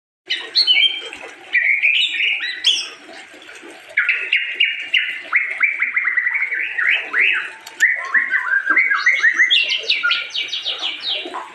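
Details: White-rumped shama (murai batu, Medan type) singing a rapid, varied run of whistled, chattering phrases, mostly mid to high pitched, with quick rising notes and short pauses near two and four seconds.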